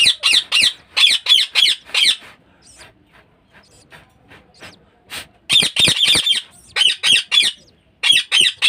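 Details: Caged budgerigar kept at home for breeding: rapid series of grating squawks, several per second, broken by a quiet two-second gap before the bursts resume.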